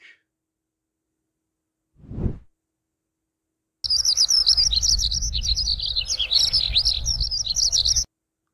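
A lark pours out a continuous, high, rapid warbling song full of trills for about four seconds, over a low rumble of wind, after a brief soft thump.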